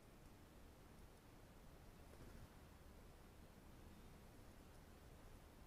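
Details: Only a faint, even hiss of background noise fills the recording, with no animal calls.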